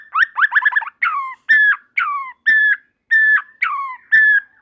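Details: White-rumped shama (murai batu) with a quick burst of jumbled notes, then repeated down-slurred whistles alternating with flat whistles, about one per second; other shamas join in singing.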